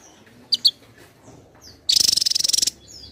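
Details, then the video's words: Javan tesia in full, persistent song: two brief sharp chirps, then a single fast, rattling high-pitched burst of even pulses lasting under a second against a quiet, faintly hissing background. "Tesia jawa gacor rapat"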